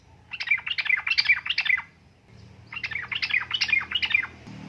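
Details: Calling female yellow-vented bulbul, in heat, luring a male to answer: two quick bursts of lively, jumbled chirping phrases about one and a half seconds each, with a low rumble underneath.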